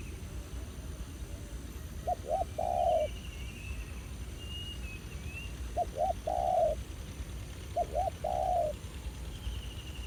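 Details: Spotted dove, a wild bird reacting aggressively to a decoy at an old trapping ground; three low cooing phrases, each two short notes then a long coo, about every two to three seconds, with faint high chirps.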